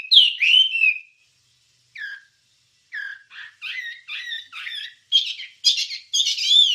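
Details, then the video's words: Wambie song used to train songbirds: a long slurred whistle, then a pause and a series of short buzzy chirps that speed up and rise in pitch toward the end. "Ocehan Suara Burung Wambie"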